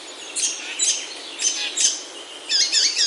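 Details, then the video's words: Forest bird in Himalayan oaks, Himachal, India: spaced bursts of very high sharp chirps roughly every half second, ending in a quick twittering trill. "Himalayan Oaks Alive with Birdsong"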